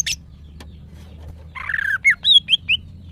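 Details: Breeding-condition female greater green leafbird, a caged bird calling to males: a short harsh buzz, a pause, then a scratchy chattering phrase followed by three or four clear whistled slurs, rising then falling.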